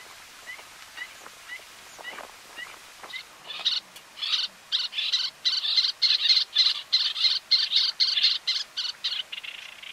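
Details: Little Tern (Sternula a. albifrons) in the Camargue, France, May 2018: faint high chips, then loud, harsh, rasping notes repeated about four times a second in a rapid chatter.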